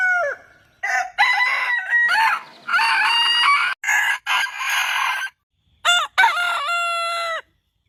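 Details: Several roosters crowing in overlapping, clipped bursts, with harsh wavering syllables, brief silences between them, and one crow ending in a clean held note that drops off sharply.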